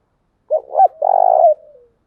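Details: Spotted dove decoy call from Vietnam for attracting wild doves: two brief throaty notes, then a long purring coo that fades into a soft descending tail. No other sounds are heard.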